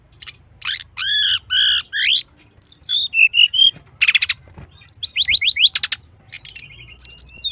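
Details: Vigorous brown-chested jungle flycatcher tutor song: strong rasping harmonic notes repeated four times, then sweet whistled slurs, a short dry rattle, a series of quick descending strokes and high thin whistles.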